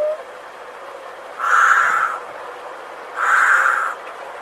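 A hoopoe gives two harsh, hissing rasps, each under a second long and spaced about two seconds apart, over a soft steady background hiss.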